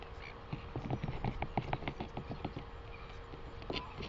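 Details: Northern royal albatross in New Zealand on 12 August 2020: rapid dry clacking pulses, about three per second and uneven, build and fade, followed by a brief call note, against blustery wind.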